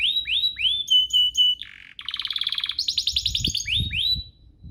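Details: Canary song to provoke other canaries: rising whistled sweeps, steady pure notes, a buzzy rattle, then rapid trills, with some faint low thumping noises in the background.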